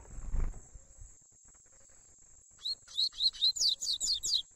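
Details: Young Double-collared Seedeater in the 'tui tui' song style: after low handling thumps, a quick run of about nine high, sharp, slurred notes, fast and evenly spaced, ending the phrase.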